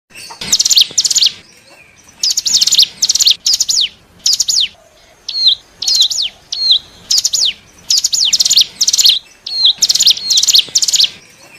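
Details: Hill prinia, known locally as cigun or ciblek gunung, calls used as a lure to attract wild birds: bursts of high, dry, rapidly repeated notes and steep down-slurred chips, separated by short pauses, with a few brief whistled notes between bursts.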